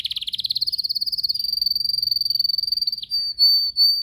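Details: Canary, yellow, kept in a cage and singing in training: a long rapid trill that smooths into a steady high whistle, followed by a few drawn-out whistled notes.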